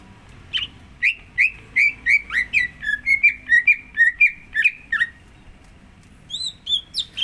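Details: Greater green leafbird song used as a lure to coax another bird to sing: a lively chain of slurred, warbling whistles, a short pause, then a few higher whistled notes.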